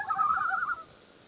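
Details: A Common Loon gives one short, mellow, hooting call that rises slightly and wavers for under a second, then fades into quiet hiss; morning, June 2, 2015, Minnesota, with its chick.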